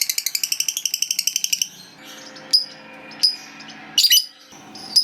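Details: Lovebird, a fighter-type bird, opening with a fast chattering trill of high notes for over a second, then scattered sharp chips and a harsh short screech, with low background hum.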